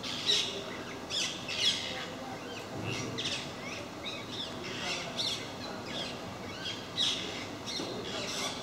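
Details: A group of parakeets visiting MK park, where they come regularly, gives harsh squawks in scattered bursts, several overlapping, with steady background hiss.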